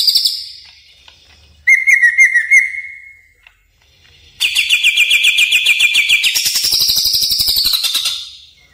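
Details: Greater green leafbird lure sound for tutoring caged birds: a high whistle, then a steady lower whistled trill, then a long rapid pulsed trill that steps up in pitch and slowly drifts down.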